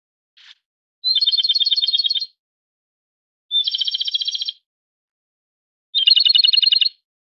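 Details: Three loud rattling trills from a Japanese robin, each about one second long with a sharp lead-in note and a rapid, even string of pulses, spaced roughly two seconds apart after a short soft introductory note.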